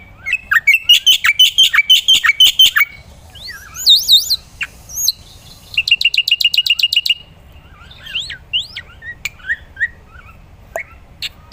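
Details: Varied song of a black-winged myna, sung vigorously for training other songbirds. A fast chattering series gives way to looping whistled phrases, a dense buzzy rattle, then scattered sweeping whistles and squeaks.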